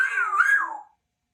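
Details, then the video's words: A two-year-old female Congo African grey parrot kept as a pet in a home, speaking: one short, clear, whistle-like spoken phrase under a second long, wavering up and down, then silence. "African Grey Parrot is only 2 but speaks quite clearly for a baby"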